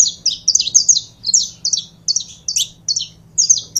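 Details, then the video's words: High, sharp, doubled chirps from a saffron finch, delivered in evenly spaced bursts roughly every third of a second, with a low hum in the background. "CANARIO DA TERRA"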